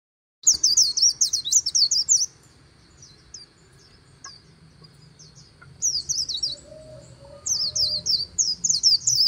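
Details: White-eye singing in the líu style beside the Kỳ Cùng river: rapid bursts of high, thin, twittering notes sweeping up and down, a quiet pause of several seconds, then another fast warbling run, over a steady high insect-like hum.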